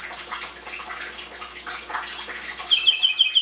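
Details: Belgian canary song for encouraging chicks, breeding season 2016: a high falling whistle opens, soft twittering follows, and the phrase ends with a quick series of high repeated notes.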